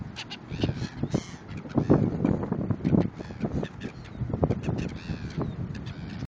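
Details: Several hungry seagulls calling in Cape Town, South Africa; frequent short nasal squawks and longer arching cries overlap almost continuously, with a strong low rumble underneath.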